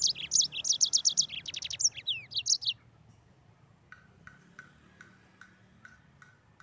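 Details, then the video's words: Mozambique canary pouring out fast, high chirping trills for nearly three seconds, followed by quiet with faint, evenly spaced ticks in the background. "Burung Mozambik Gacor Ngeroll"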